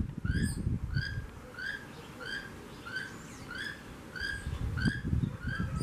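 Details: Keel-billed toucan, a wild male calling to his flock near a home, repeating a hoarse, croaking note roughly twice a second in a steady series, over low rumbling background noise.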